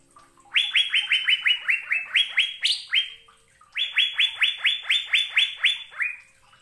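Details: Asian fairy-bluebird from a recording used to teach caged birds to sing: two fast series of bright, rising whistled notes, one higher note midway, with a brief gap between runs.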